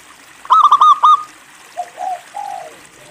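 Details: One song phrase from a local zebra dove: a quick burst of bright staccato notes followed by two softer, lower, falling coos.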